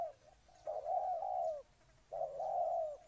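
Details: Spotted dove from Ninh Thuận, Vietnam, giving two long, low, hollow coos, each slightly falling at the end, about a second and a half apart, over quiet background hiss.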